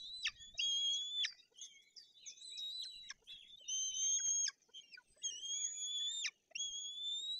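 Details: White-tailed eagle chicks at a nest in Bory Tucholskie, Poland, on 8 June 2022, begging while waiting to be fed after the female brings a fish; high, thin, drawn-out whistled cries in long repeated bursts, quiet surroundings.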